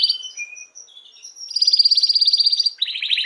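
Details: Canary singing to stimulate females to mate: short whistled notes and a clear lower note, then a loud pulsed rolling trill lasting over a second, switching to a slightly lower roll.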